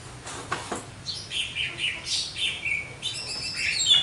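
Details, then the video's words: Javan myna song with a couple of sharp clicks, then a string of short whistled and slurred notes in an uneven rhythm, ending in a thin high squeak. "burung jalak kebo gacor,full materi"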